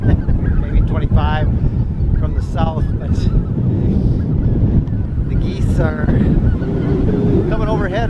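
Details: Geese of five species migrating in thousands, mostly Snow Geese, at North Ottawa Impoundment, Grant County, Minnesota, while lakes are still frozen. Loose, overlapping stream of nasal honks overhead, half buried under roaring 30 mph wind and a man's voice.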